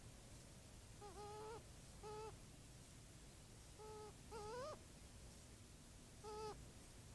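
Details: Young Cooper's hawk at a watering hole in the early morning with its mother nearby. Six short, nasal, harmonic notes in loose pairs, one sharply upslurred, separated by quiet gaps over a soft, steady background rumble.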